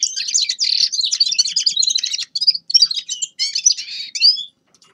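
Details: A Grey-crowned goldfinch sings bright, fast twittering phrases for about four seconds, breaking into shorter bursts with small gaps before falling silent at the end.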